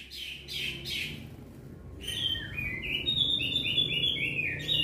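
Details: Javan grey-throated white-eye in lively ngeplong song, answering other birds: after a few hoarse notes and a short lull, a series of clear whistles stepping downward in a quick sequence over steady background noise.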